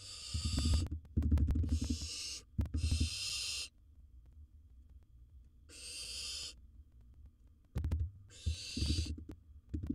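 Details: Wild barn owl filmed in its nest box swallowing big prey: five breathy, rasping hisses, three close together then two more after a quiet pause, over low thuds and scraping movement.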